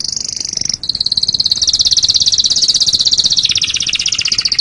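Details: Canary song for training songbirds, a sustained very high, rapid rolling trill that slowly shifts pitch and spreads lower near the end, dense and continuous.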